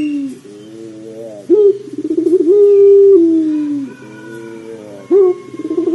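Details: Pelung dove coos as a prompt for doves to begin calling: a soft wavering phrase, then a sharp start, fluttering pulses and a long, loud, level low note that falls away, with a faint hum behind.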